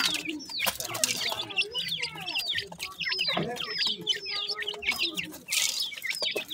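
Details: Teetar (grey francolin) chicks being fed at morning time, calling in overlapping high descending peeps, fairly steady throughout, with a brief hissy burst near the end.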